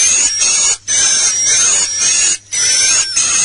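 Swiftlets twitter in a dense, high, continuous chatter over a thin steady whine, broken by brief pauses every second or so.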